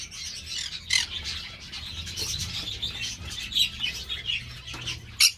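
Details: Captive Green-cheeked parakeet from an amateur breeding aviary, uttering irregular grating squawks and buzzy chatter, a few louder harsh bursts standing out, with a low background hum.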